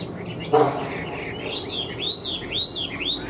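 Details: Tame Chinese hwamei in a cage, a ngũ trường singer rated a good fighter: a sharp click, then a run of arched whistled notes rising and falling in quick succession.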